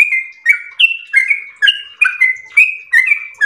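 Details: Yellow-vented bulbul singing gacor in the long ropel style: bright, slightly burry whistled notes that alternate high and low, about three every second, with no pause between them and no other sounds.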